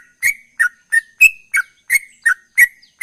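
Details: Close, clear ropel-style song from a chatty sooty-headed bulbul: eight sharp chirps at an even pace, alternating between a flat whistled note and a short downward slur.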